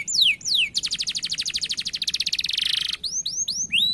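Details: Canary singing in the Indonesian gacor style with a long roll. Downslurred whistles lead into a fast, even buzzing trill of rapid repeated notes lasting over two seconds. Curved rising-falling whistled phrases follow.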